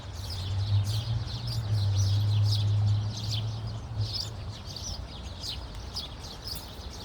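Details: Birds chirping in Khalifa City: many short, bright chirps and tweets overlap in a busy chorus over a steady low engine-like hum that swells and fades during the first four seconds.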